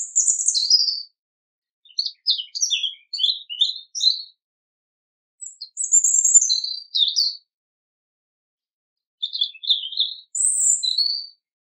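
European robin singing: short, high, tinkling phrases of quick squeaky notes that slide up and down, separated by pauses of a second or two. No other sounds.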